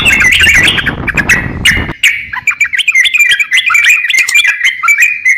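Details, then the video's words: Crocok-cokan song for training songbirds: after a noisy opening second, clear rapid chirps and whistled slurs continue in a quick, choppy sequence against a quieter background. "crokcokan gacor siap jadikan masteran kicauan"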